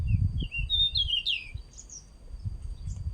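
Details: Male pied bushchat giving a brief, scratchy warbled phrase of rising and falling whistles, then two soft high notes, with low rumbling handling noise and a constant faint hum beneath.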